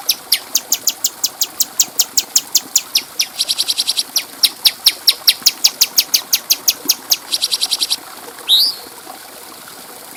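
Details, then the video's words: Bulbul, locally called cucak cungko, on a clear-voiced tutor recording for training other birds: long series of sharp, very high chips repeated about five per second, a rapid buzzy burst, then short rising whistles. "Masteran Burung Cucak Cungko Suara Jernih"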